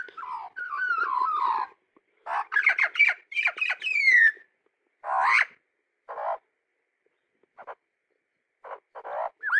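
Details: Pet nine-month-old Australian magpie singing near a garden pond: warbling, gurgling phrases with sliding whistles and chattering notes, then scattered short calls after pauses.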